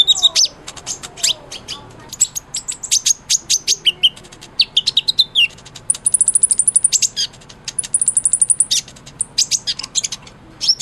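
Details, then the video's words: Sunbird (kolibri ninja) singing in full voice, offered as tutor song for a white-rumped shama: rapid high, thin chirps and sharp ticks, with longer sustained whistled notes repeated in runs near the end. "SUARA BURUNG KOLIBRI NINJA GACOR"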